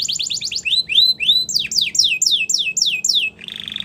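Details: Tutor song of a Belgian canary for young birds: a quick series of slurred notes rising then falling, roughly four per second, closing with a brief buzzy trill.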